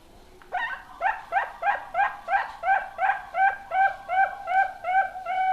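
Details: Young zebra dove raised as a future contest bird for Indonesian dove competitions. It gives a series of about fourteen short, soft notes, each rising into a steady tone, repeated roughly three times a second and growing more even toward the end.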